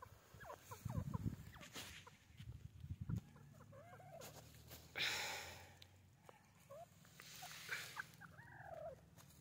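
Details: A white teetar (grey francolin) gives short, squeaky chirping notes, some rising and some falling, scattered through the clip over a low rumble and a brief crackling burst.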